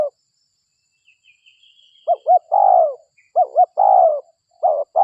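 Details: Spotted dove, a local bird used as a lure: after a faint high thin trill, two phrases of paired short coos each ending in a long, slightly falling hollow coo.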